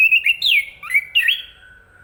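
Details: Chestnut-capped thrush: a short burst of loud, swooping whistled notes, rising and dipping, trailing off into a faint, steady, lower whistle.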